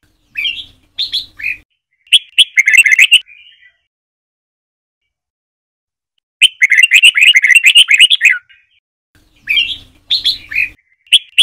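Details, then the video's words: Red-whiskered bulbul Trà My style song for teaching birds: paired slurred whistles and dense rapid chattering bursts of bright notes alternating with silences, repeated across the recording, with a faint low hum. "Chào Mào Trà My SỔ BỌNG DÀI .Luyện Chào Mào Hót Giọng Trà My Cực Hay, Ép Má Trắng Học Giọng"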